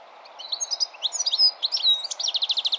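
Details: European goldfinch in melodic song, a dense stream of high, liquid twitters and slurred whistles followed by a quick, evenly repeated trill, against a low steady hum.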